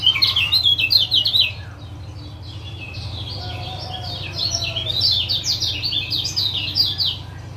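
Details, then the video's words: Male lemon-bellied white-eye from Lombok calling 'ciak ciak' as a trigger for a caged male that has stopped singing: two bursts of rapid, high, slurred chirps separated by a brief lull, with a steady low hum. "Masteran Ampuh Ciak Jos Kecial Kuning"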